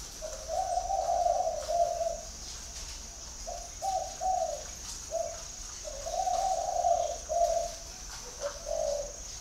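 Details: Cooing of a spotted dove, a long mellow note followed by shorter clipped coos, then another drawn-out phrase, all at the same low pitch, with a constant high electrical-like whine behind.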